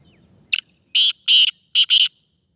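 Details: Black francolin of the Sindhi type, locally kala teetar, giving a loud harsh call: a short click, then four rasping buzzy notes in a quick grating rhythm.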